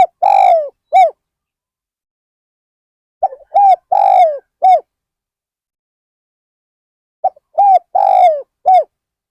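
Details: Low, hollow cooing from a spotted dove used as a decoy bird at Ban Nong Hin to lure wild birds. The end of one phrase is followed by two full phrases of short, arched and long falling coos, about four seconds apart.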